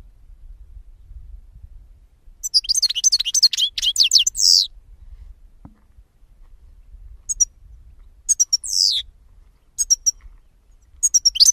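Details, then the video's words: Jilguero singing a quick, dense run of high slurred twitters and a drawn-out buzzy note, followed by sparse short chirps and a few trilled fragments. "Cante De Jilguero"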